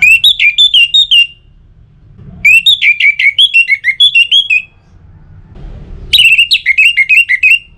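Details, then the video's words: Orange-headed thrush song meant to stimulate other birds to sing, northern Bali: three loud bursts of fast, pulsed whistled notes wavering up and down, separated by short quiet gaps. "ANIS MERAH Untuk Suara Pancingan Burung Agar Rajin Bunyi Ngeplong Pagi sampai Sore Hari"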